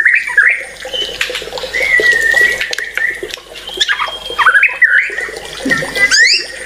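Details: A white-rumped shama gives a jumble of whistled slurs and short chirps at moderate pitch, with sharp high notes scattered through.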